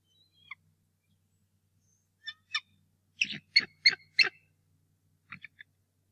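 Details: Bald eagle at the Decorah North Nest on a 2018 morning, the male angrily defending the nest against a returning intruder: a few sharp, high notes, then a quick burst of four clipped, piping calls and two shorter notes.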